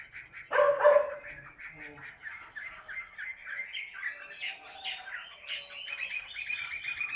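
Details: A Chinese hwamei, a fighting-type bird, sings while held in the hand: a rich, fast run of varied whistled and chattering phrases, with a brief harsh, loud burst near the start.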